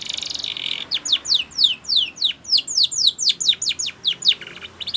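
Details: Training song of a Spanish Timbrado canary, opening with a dense buzzy trill, then a steady series of clear, high downward-sweeping notes about four per second, evenly spaced.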